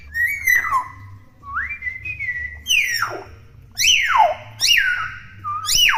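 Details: A young hill myna that has not changed its feathers whistles clearly: flat held whistles, then loud notes leaping up and sliding down in long falling sweeps, roughly one per second.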